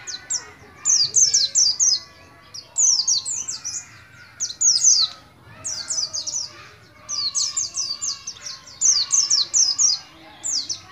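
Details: Young endemic Oriental white-eye from Moga, Central Java, still learning its ngalas ngeroll song; high, tumbling chirp phrases roughly one to two seconds long, repeated in regular bursts with short silences.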